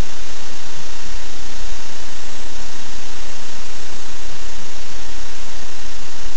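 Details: Steady broadband hiss with a low engine-like rumble throughout, and no animal calls.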